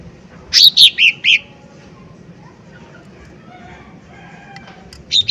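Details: Lesser green leafbird, in a lure recording of loud bursts meant to provoke other birds to sing: four sharp, high, slurred notes in quick succession, then a quiet pause with a faint background hum and one more note at the end.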